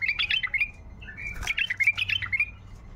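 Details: Tayyariyat song of a wild bulbul, used to prompt quiet bulbuls to sing: a continuous stream of warbled, chirpy notes with slurred whistles in the middle and a single sharp click partway through.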